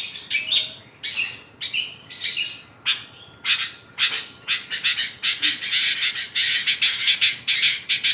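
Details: Vigorous song of a Long-tailed shrike rich in fill-in notes: separated high chirps early on build into a fast, almost continuous stream of harsh and whistled notes.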